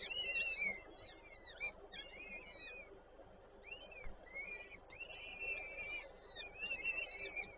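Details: Female peregrine falcon feeding chicks at a nest in Żerań, Warsaw, 8 May 2023; rapid, choppy bursts of short, sharply inflected calls, then longer steady wails near the end.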